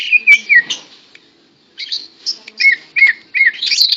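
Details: Tame greater green leafbird singing while held in a hand, bursts of slurred whistles and warbled chirps separated by a short silence, then repeated downslurred whistled phrases and a twittering close.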